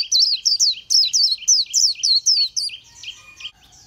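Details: Oriental white-eye, a small green-backed bird with white eye-ring and yellow throat, singing; rapid high twittering series of sweet slurred notes, about three per second, fading near the end.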